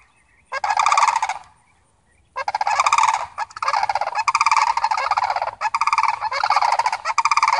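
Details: Visiting family of Sandhill cranes calling: a short rattling burst, a pause, then a long run of loud, rolling, trumpeting rattles with brief breaks, several birds overlapping.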